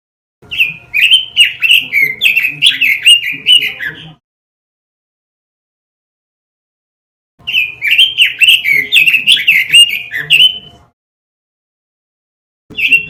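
A robin sings rapid, warbling phrases of bright chirps and trills in bursts of about three and a half seconds, separated by clean silences.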